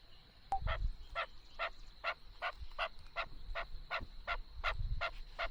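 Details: Chukar partridge giving a steady run of hoarse chuck notes, about two per second and evenly spaced, with low rumbling thumps in the background and a constant high whine.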